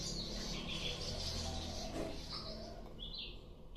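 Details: Sikatan londo flycatcher singing actively: a run of high, thin, buzzy notes and short trills, with a steady low hum underneath.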